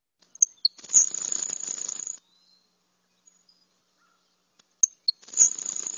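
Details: Grasshopper Sparrow, in Texas, gives its insect-like call, a few sharp high "kiss" ticks, then a long thin buzz lasting about a second, given twice; heard clearly in breeding areas.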